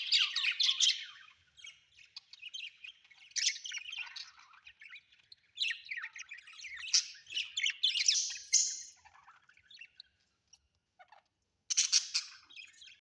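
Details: Budgerigars kept as pets indoors give harsh scratchy squawks and warbling chirps in repeated bursts of one to two seconds, with a quiet pause near the end before a last burst.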